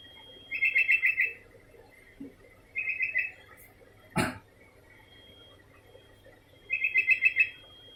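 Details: Sooty-headed bulbul singing on and on in quick bubbly phrases of five to seven chirps, each lasting under a second and spaced a couple of seconds apart, broken once by a sharp knock or click.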